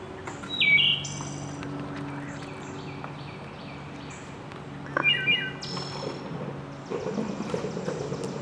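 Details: Wood thrush (Hylocichla mustelina) singing at Melton Park on April 15, 2023: two fluting phrases with ringing, layered notes ending in higher trills, separated by a pause, over a steady low hum.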